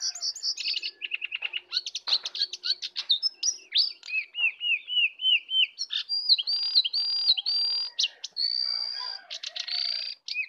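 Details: A fierce contest of full isian singing between a wild and a caged sooty-headed bulbul. Fast repeated notes lead into rolling looped whistles, then long sustained high whistles separated by short chattering bursts.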